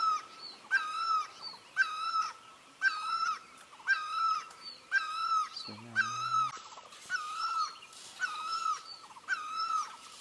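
A great barbet repeats a loud, mournful, nasal two-part wail about once a second. A brief low hum cuts in once.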